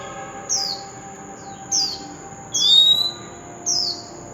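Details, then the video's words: Oriental magpie-robin song, played to stimulate singing: four brief, bright whistled phrases, each sweeping downward, about one every second, over a steady thin high-pitched tone that runs throughout. "Chòe Than Bổi Nghe Là Hót – Âm Thanh Kích Hót Cực Mạnh"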